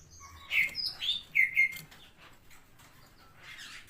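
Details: Cililin, a brown variety, in full song: a cluster of short bright slurred whistles and chirps over about a second, then quiet with a faint chirp near the end.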